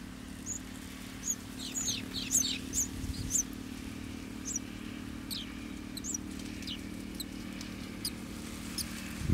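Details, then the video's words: Golden sparrow nestlings awaiting food give a series of short, high, thin chirps and squeaks, some clustered closely together. A steady low hum runs underneath. "Baby Golden Sparrow's Anticipation: Waiting for Bay's Feed"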